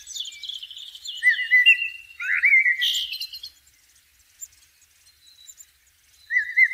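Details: Blackbird song in natural surroundings: thin high notes lead into mellow, flute-like warbles and a squeaky flourish, then quiet and a fresh whistled phrase at the end.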